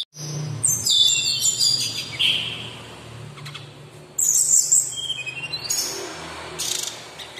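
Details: Sumatran laughingthrush, a local bird kept for song training, giving loud high whistled phrases, some sliding downward, with bursts of sharp chirps and clicking notes in between.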